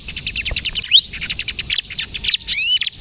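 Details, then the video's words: Lively bar-winged prinia song in the pinched kejepit style, meant for luring and prompting other prinias: a rapid, even patter of very high ticking notes with a couple of sweeping whistled arcs near the start and end. "suara burung ciblek kristal gacor, ciblek kejepit untuk pikat dan pancingan ciblek bahan agar bunyi"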